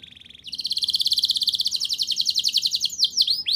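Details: Canary rolling song used to get young canaries singing: a soft buzz, then a long rapid trill of even repeated notes ending in looping sweeps.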